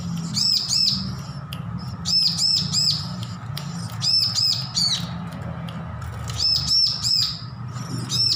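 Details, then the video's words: Recently weaned bar-winged prinia learning to sing, giving short bursts of two to four sharp, high, arched notes. The bursts repeat roughly every second or two over a constant low hum, with faint clicks between them. "Ciblek lepas loloh belajar bunyi full masteran"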